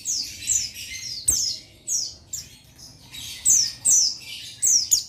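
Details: High, thin whistled notes sliding downward, given in clustered bursts by a male Oriental white-eye (buxtoni) challenging a rival. A single click is heard near the start.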